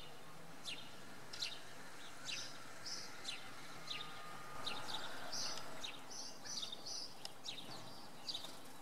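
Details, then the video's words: Common redpoll calling in the evening in fog at Oksywie, Poland: short, high chirping notes repeated rapidly and unevenly, some slightly buzzy, over a steady low background rumble. "Czeczotka we mgle"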